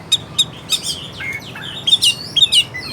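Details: Oriental magpie-robin in full song, used as a lure to rouse a lazy, reluctant singer lacking fighting spirit: scattered sharp whistled notes and short chirps with pauses between, over a faint low hiss.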